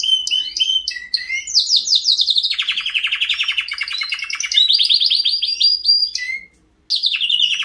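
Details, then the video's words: White canary singing a long varied song of high trills, rapid repeated buzzy notes and whistled phrases, with a brief pause near the end before the trilling resumes. "White Canary Singing"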